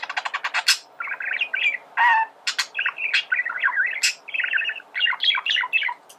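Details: Male budgerigar singing to help teach birds song: opens with a fast series of sharp clicks, then a long run of twittering, wavering chatter with squeaky rising notes.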